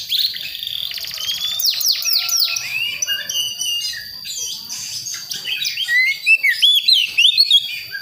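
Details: Young Priangan magpie-robin from a West Java forest learning to sing: fast buzzy trills and downward-swept notes, then varied twitters ending in a run of loud clear looping whistles.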